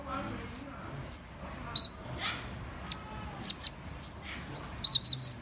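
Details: Van Hasselt's sunbird giving sharp, very high chips and short squeaky notes at irregular intervals, roughly one per second, with a few quick doubled chips near the end. The background is clean.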